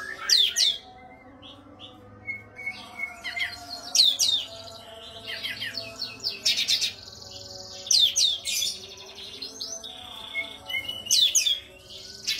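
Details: Oriental white-eye (Zosterops palpebrosus), song.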